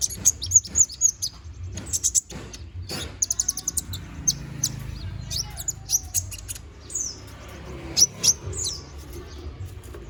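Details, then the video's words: Lively Konin bird song meant for tutoring magpie-robins. Very high, sharp chirps and twitters come in quick bursts with short pauses and some sweeping squeaky notes, all over faint low rumbling background noise. "MASTERAN BURUNG KONIN GACOR NGOBRA FULL ISIAN!"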